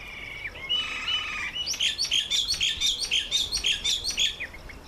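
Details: Red-faced mousebird making its first visit to a birdbath; a rapid series of high, clipped chirps repeated about twice a second follows a brief buzzy trill at the start.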